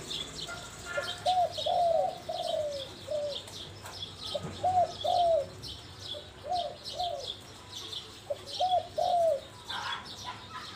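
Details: Spotted dove performing its Mongkhon Liu Tan song: a run of mellow, paired hooting coos, repeated in short bursts with gaps between, and twittering small birds audible at a higher pitch.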